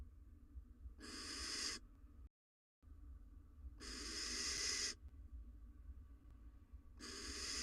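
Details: Wild female barn owl incubating eggs at her nest, just after swallowing a mouse, caught on a nest camera: three rasping, noisy hisses, each under a second, spaced roughly three seconds apart over a constant low background hum.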